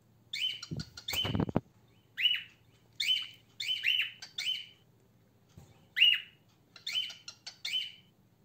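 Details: A female cockatiel gives short, harsh, descending chirps, repeated about once a second; this tone is said to mark a female.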